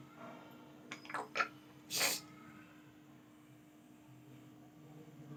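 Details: Grey parrot, kept as a pet, imitating coughing: a few short rough bursts followed by a louder, breathy, sneeze-like blast, then quiet room noise with a steady low hum.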